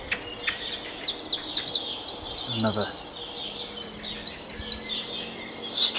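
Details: Common blackbird giving strident, high alarm calls, about two per second, against a busy dawn chorus of other songbirds around sunrise.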